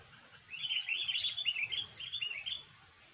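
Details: Kutilang (sooty-headed bulbul) in energetic song, used as a trapping lure: one continuous stream of quick, jumbled, chirpy whistles lasting about two seconds, over low rumble.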